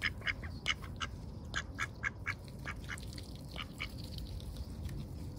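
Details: Lively ducks under heavy overcast skies, recorded close up: a burst of rapid, nasal quacks crowding the first three seconds, then thinning to scattered softer calls against a constant low rumble.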